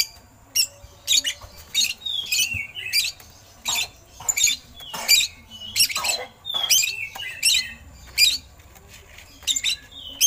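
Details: Oriental magpie-robin (kacer) song with eagle imitations, used as tutoring material for other songbirds: short harsh rasping bursts, many carrying a downslurred whistle, repeated roughly every second with uneven gaps over ten seconds.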